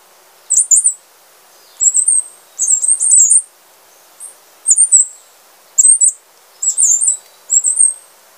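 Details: Wrenthrush, a resident of Panama and Costa Rica, singing very high, thin, squeaky phrases of quick slurred notes, each burst under a second long and repeated about every second, over a quiet background.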